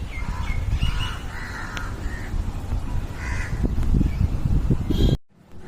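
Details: Crows in a jamun tree giving a loose series of short harsh caws, irregularly spaced, over low rumbling background noise before an abrupt cut.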